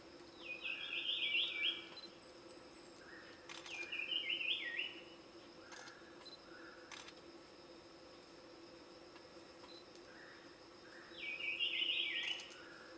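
Large scimitar babbler: three short bursts of quick, warbling high notes with softer lower hoots beneath, spaced several seconds apart, over a steady background hum.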